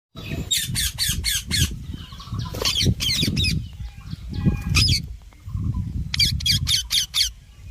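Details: A talking rose-ringed (ringneck) parakeet gives harsh, screechy squawks in quick runs of four or five, with pauses between, over a low rumbling background.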